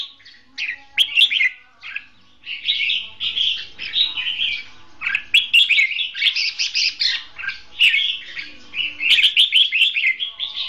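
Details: Red-whiskered bulbul singing duel song as a trapping decoy; a long, continuous sequence of lively warbled phrases and sharp chirps with barely any pauses.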